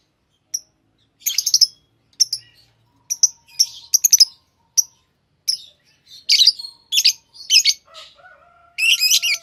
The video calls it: Love birds chirping sound